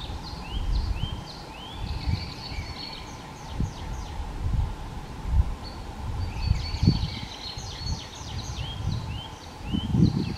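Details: In a pine forest at Bzenec on 7 April 2019, a Tree Pipit sings two bright, faint, high bursts of quick repeated notes and trills over heavy wind rumble, with a Mistle Thrush singing in the background.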